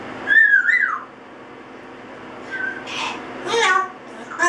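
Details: Pet Double Yellow-headed Amazon, a male aged eight months, singing in the shower after a spritz bath: one bright upward-sweeping whistle, then a pause, then short raspy, breathy bursts and chattering notes indoors.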